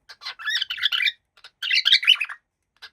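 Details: A happy pet cockatiel gives two bursts of harsh, squawky chirps, each about a second long, separated by a short pause, then ends with a single brief chirp.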